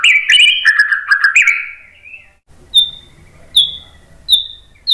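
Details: White-rumped shama song used to coax other birds into answering: a dense, fluty warbled phrase for two seconds, followed by isolated high, pure whistles spaced under a second apart.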